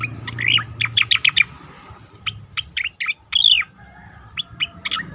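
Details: Song of an Asian pied starling meant for training competition songbirds: bursts of sharp chirps and squeaky whistles, a brief pause, then a longer slurred whistle and scattered single notes over a low background drone.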